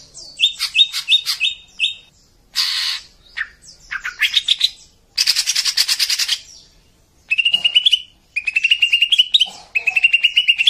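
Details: Cucak ijo song in the tembakan kasar harsh-burst style for training caged birds: a long medley of chattering phrases, grating rasps and rapid buzzy trills, with short gaps between bursts.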